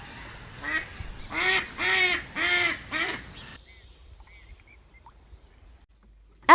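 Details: Duck in Taiwan giving four loud, nasal quacks about half a second apart, each dropping in pitch. A quiet pause follows, then a brief bright chime at the end.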